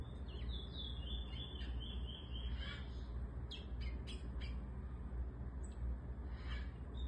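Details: Eurasian bullfinch teaching a young bird to sing. A soft series of whistled notes slides gradually downward over about three seconds, followed by a few faint short notes, all over a heavy low rumbling background.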